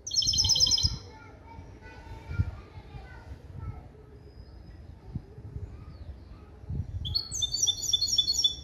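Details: Hybrid of a male European goldfinch and a female canary, trained in clean limpio song built from goldfinch base calls. Fast, high, rapidly repeated trilled phrases open and close the passage, with a quieter gap and low background rumble between.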